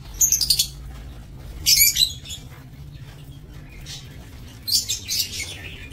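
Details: Aviary-housed breeding lovebirds, 22 November 2024, giving three sharp bursts of piercing, high-pitched chirping separated by quieter stretches, with a constant low background rumble.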